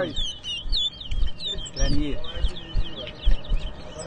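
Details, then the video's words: A towa towa at a whistling competition in Berbice, Guyana, 2023, pours out a continuous run of short high whistled notes, steadily repeated, while spectators chatter close by. "TOWA TOWA BIRD WHISTLING COMPETITION"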